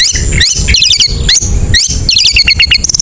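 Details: Ngetet-style chatter of a long-tailed shrike, a lure to spur reluctant birds into song: dense, rapid bursts of high twittering notes in quick succession, with heavy low-pitched background noise.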